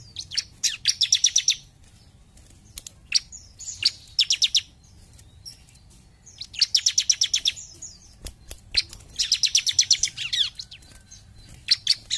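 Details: Bar-winged prinia singing actively: four bursts of rapid, evenly spaced high chipping notes, about six to ten per burst, separated by short pauses, with a few scattered single clicks and a faint low rumble beneath.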